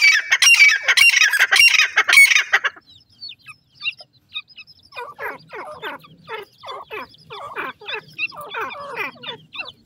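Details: Female francolin calling to her chicks: a loud, harsh, grating burst for almost three seconds. A quieter series of short, rough, repeated notes follows, with a few high thin chirps.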